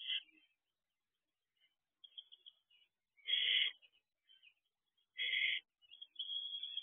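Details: Barn owls at a nest box, recorded at 5:18 am on 9 June 2023, with an adult female, an adult male and owlets present: harsh, noisy hissing screeches in short bursts, two loud ones about two seconds apart, and fainter rasping between them.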